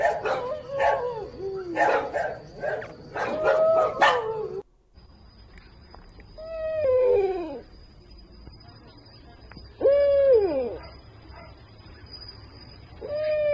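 Barred Owl giving eerie, wailing calls that arch up and slide down, spaced a few seconds apart, after a burst of excited voices and a faint steady whine.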